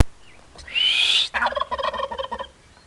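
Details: A turkey in Huashuaisa making noise: after a high rising whistled note, it gives a fast rattling gobble of rapid repeated notes lasting about a second.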